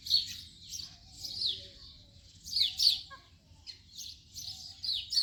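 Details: House sparrow chirping: short, harsh chirps in loose bursts, with strong notes near the start and around the three-second mark and quieter chirps between.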